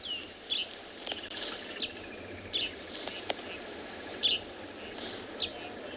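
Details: At sunrise on 19 January in Tswalu Kalahari Reserve, South Africa, a grey-headed sparrow on a small branch gives short, high, downslurred chirps at an uneven pace, roughly one a second, over steady insect hiss.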